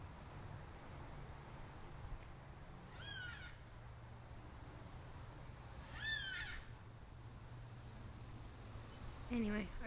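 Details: A black cockatoo calls from a tree across the road. It gives drawn-out, rising, harmonic wails about three seconds apart, and a third call starts at the end. A low rumbling hum runs underneath.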